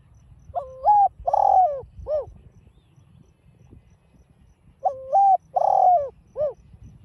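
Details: Spotted dove cooing in the 'giọng đồng pha' style for exciting caged birds: the same three-note phrase given twice about four seconds apart, each a wavering hoot, a long full coo and a short clipped ending.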